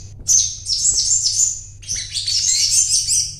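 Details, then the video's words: Crimson sunbird (sogon) singing in energetic 'gacor' fashion after purchase: piercing high twitter that rises, holds, dips, then resumes as a rapid chattering trill, over a soft low hum. "Burung Sogon Gacor"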